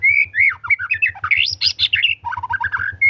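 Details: Energetic gacor song of a white-rumped shama: a continuous rush of varied whistled notes, slurring up and down and climbing to high sharp peaks, over a low steady hum.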